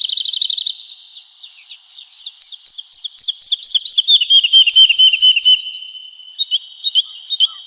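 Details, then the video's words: Woodlark song recorded as tutor material for cage birds: opens with a rapid trill, then sweet high notes quicken into a descending rolling phrase before resuming with scattered clear notes. "Woodlark Gacor | Suara Merdu, Speed Rapat, Tembakan Tajam"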